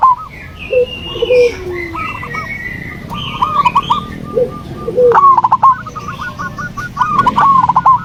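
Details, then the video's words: Zebra dove song used to stir a silent dove into song: overlapping series of stuttering coo phrases, growing louder toward the end, with high twittering of other birds in the background. "pancingan perkutut malas bunyi"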